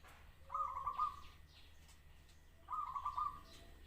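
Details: Zebra dove gives two short bursts of rapid, stuttering coo notes about two seconds apart, with soft faint sounds in between.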